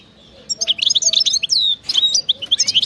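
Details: Energetic goldfinch song in the 'betbta' and wild 'khlowi' style: quick liquid twitters and a clear downslurred whistle, then more rapid tinkling notes.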